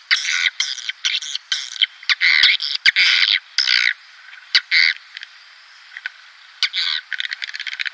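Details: Swiftlet calls aimed at attracting a swiftlet colony into a nest house: repeated short bursts of buzzy, rattling chatter with quiet gaps, ending in a quicker run of soft clicks.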